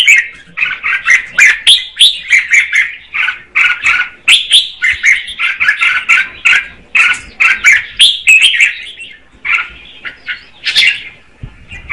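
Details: Female red-whiskered bulbul song meant to spur the male: a long, busy stream of quick, bubbly whistled notes, loud and nearly continuous, easing slightly near the end.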